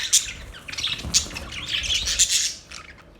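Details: Short run of budgerigar chirps: sharp high squeaks and raspy twitters in quick clusters, fading out over the last half second.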